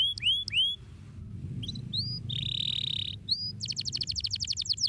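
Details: Canary with a few rising whistled notes, a brief buzzy trill, then a quick rolling run of high notes; low rumbling background noise throughout.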